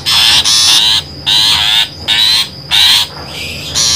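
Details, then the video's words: A long-tailed shrike call used as a trapping lure: loud, harsh, rasping chatters in bursts of half a second to a second, repeated with brief pauses. "suara pikat burung pentet"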